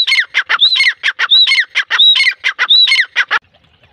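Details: Grey francolin (teetar) in a fast, rhythmic call series: a clear arched whistle-like note repeated about every half second among harsh clipped notes, stopping abruptly near the end.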